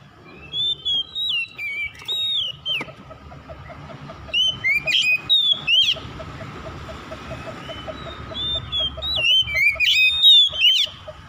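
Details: Oriental magpie-robin morning calling, clusters of looping whistled phrases and sharp chirps separated by pauses, against constant low traffic-like rumble.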